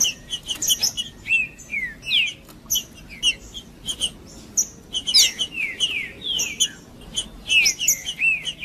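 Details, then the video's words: Green-winged saltator male song for warming up rival males: steady bursts of clear whistles sliding downward, overlaid with sharp metallic high notes and clicks, repeated in lively phrases roughly every second with little pause. "Trinca ferro cantando Para Esquentar Trinca ferro"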